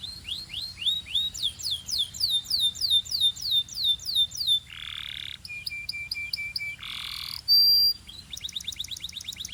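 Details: Belgian canary warming up quickly, singing a varied song: a fast series of bright upswept whistled notes, then a buzzy rolling burst, a steady low trill, a harsh rasping phrase and a rapid run of clicking notes.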